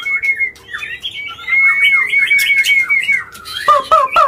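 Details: White-rumped shama in an agitated, non-stop bout meant to provoke rivals: a sustained clear whistle runs under rapid jumbled twitters, ending in several sharp, falling harsh notes.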